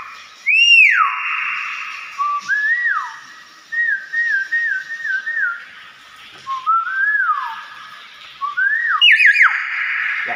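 A hill myna gives loud, clear whistles: a long swooping note falling from high to low, then runs of short rising-and-falling whistled phrases, repeated over ten seconds.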